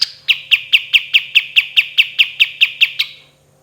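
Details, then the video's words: Pied triller singing its 'tembakan' song on a training recording: one higher opening note, then about twelve crisp, evenly spaced chips at a steady pitch, roughly four per second, trailing off into quiet hum. "KAPAS TEMBAK GACOR SUARA DAN TEMBAKAN MEWAH"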